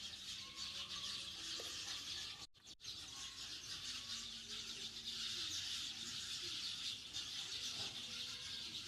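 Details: Sparrows in a backyard flock giving constant busy chirping, bright overlapping high notes that blur into one shimmering chorus, broken by two short silent gaps, with a few thin lower whistles mixed in.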